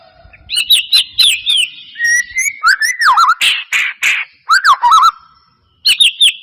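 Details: White-rumped shama song used to prompt a reluctant caged bird to sing: quick paired whistles, a steady mid tone, looping slurs, harsh noisy bursts and a final high whistle phrase.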